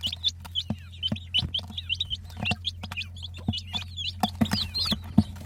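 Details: Chicks cheeping in quick succession, thin high notes with hooked, curling shapes, some louder peeps near the end, accompanied by faint knocks and a steady low hum.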